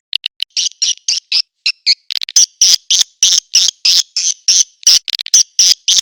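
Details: Edible-nest swiftlet calling sound in the A Leyung style, used to attract swiftlets: rapid high buzzy chirps, short at first, then longer raspy bursts repeated about three times a second.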